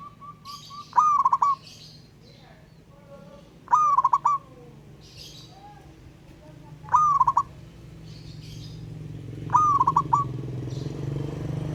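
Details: Local wild-caught zebra dove calls a rival with ngayer song. Four stuttered cooing phrases come about every three seconds, with faint other bird notes and a rising low background noise.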